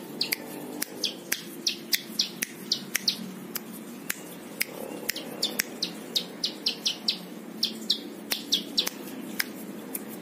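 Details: Plain prinia song offered for tutoring other birds: steady series of short, high, down-slurred whistled notes, about three per second, mixed with sharp clicking ticks and a low steady hum underneath.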